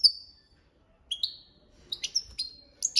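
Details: European goldfinch singing in the copia malaga style: a few high, bright notes sliding downward, with a pause of about a second between phrases, then a quicker cluster of sharp chirps near the end.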